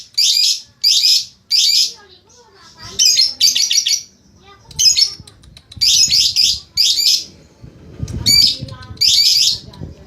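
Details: Lovebird giving short, harsh, high squawking bursts, often in quick pairs or triplets, separated by brief pauses, with faint low rumbling noise near the end.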